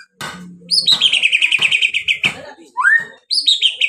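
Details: White-rumped shama song used to goad other birds into singing: a fast, steady trill of repeated notes lasting over a second, then a rising whistle and another quick trill.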